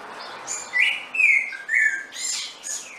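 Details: Saffron finch giving a few lower, drawn-out slurred notes with buzzy edges, followed by two brief higher chips, over a light background hiss.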